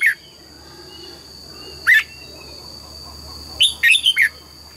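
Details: Morning double-note song of a red-whiskered bulbul: one bright whistled note at the start, another near two seconds, then a rapid cluster of three quick chirpy notes, with a constant high-pitched hum behind.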